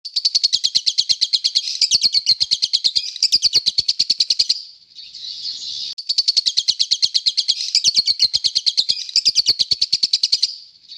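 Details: Lovebird giving short calls: rapid, shrill, high chirps run together in two long bursts of about four and a half seconds each, split by a brief hissing pause.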